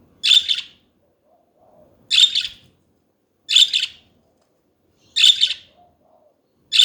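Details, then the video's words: Pet budgies chirping: short, bright, scratchy notes repeated at roughly one-and-a-half to two-second intervals, with quiet gaps between them. "Hours of chatting budgies"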